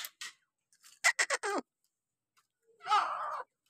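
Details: A pair of partridges, tagged as grey partridge, give harsh, grating notes: a quick run of four rasping calls, then a single longer, scratchy note about a second and a half later.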